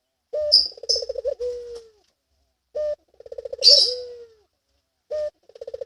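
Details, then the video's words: Rolling coos of a Barbary dove in breeding condition: brief opening note, quick throbbing trill and drawn-out descending tail, repeated about every two and a half seconds, with occasional high chirps from other birds. "Puter Birahi"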